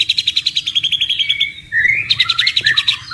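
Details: Wild white-rumped shama by running water, rattling off evenly spaced bright notes, a smooth whistled slur, then another quick repeated series.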